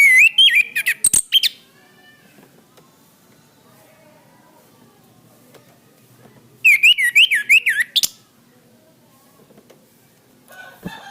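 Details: Orange-headed thrush master song for training cage birds: loud rapid zigzag whistled phrases with clicks, a long quiet gap, another rapid whistled burst, and faint sharp notes at the end.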